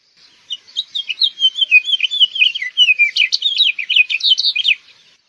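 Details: House finch singing a long, rambling warble of quick chirps and slurred notes for about four and a half seconds, becoming burry and jumbled toward the end; no other sounds.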